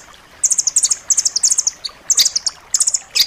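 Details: Blue nuthatch song, described as dense and sharp, recorded as tutor material for pet songbirds: bursts of rapid high chipping notes in quick trills, separated by short pauses, over faint background hiss.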